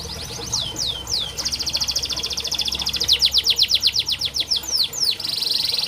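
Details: Song of a canary used as therapy for birds that will not sing: slurred downward whistles, then long runs of fast buzzy trills and clipped repeated notes at a steady quick rhythm.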